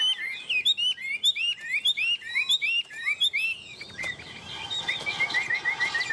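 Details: Tame Chinese hwamei singing rapidly, a busy stream of short rising and falling whistles, trailing off into a softer, even series of thin repeated notes.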